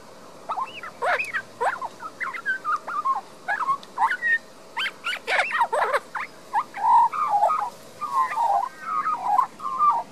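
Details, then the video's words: Queensland, Australia, garden-dwelling young Australian magpie, Panasonic Lumix DMC LX7 recording: a long, lively warbling song of steep up-and-down slurred notes delivered in rapid bursts about every half second, loud and continuous. "Young Magpie's beautiful song"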